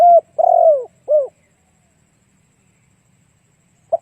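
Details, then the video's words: Spotted dove cooing as a lure to draw other doves: one mellow phrase of a short note, a long drawn-out coo and a shorter falling coo, then silence before a brief note begins the next phrase. "Cu gáy kích mồi tập bổi hiệu quả nhanh"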